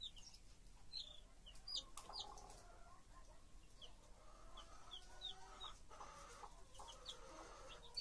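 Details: Hen and her chicks: a busy mix of high, sharp chick peeps and softer, low, rhythmic clucking from the hen runs through the whole clip.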